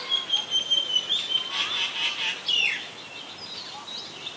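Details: Common myna recorded 24 February 2022 in Ubon Ratchathani, Thailand, on a Nikon P1000. A thin steady whistle leads into a burst of rapid scratchy chirps, then a sliding downward note and softer trailing calls.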